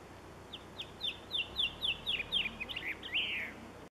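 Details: Blue chaffinch singing: a run of about ten short downslurred chirps speeding along over three seconds, ending in a rough buzzy flourish, against a steady background hiss.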